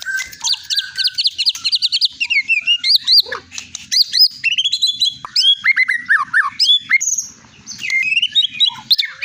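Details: Long-tailed Medan white-rumped shama, a caged competition champion, pouring out a varied melodious repertoire: rapid whistled notes, sweeping slurs and trills jumping between low and high pitches, almost without pause.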